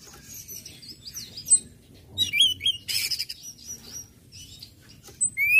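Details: Orange-headed thrush song in the ngecip, ngecit and ngeplong styles, used to stir other birds into singing: scattered high chirps and short whistled slurs, a dense burst near the middle, ending on a rising whistle.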